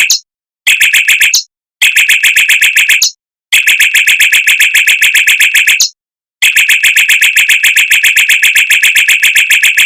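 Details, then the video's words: Mockingbird song in the rapid, tightly packed rolling style with long bursts, used as a master recording for training white-rumped shamas; fast buzzy notes repeated in dense rolls, broken by short abrupt silences. "Suara Burung Mockingbird Roll Speed Rapat Tembakan Panjang untuk Masteran Murai Batu"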